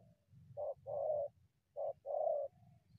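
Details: Spotted dove in the wild coming in to a decoy, two clear phrases each of a short coo followed by a longer, fuller coo, over a low rumbling background.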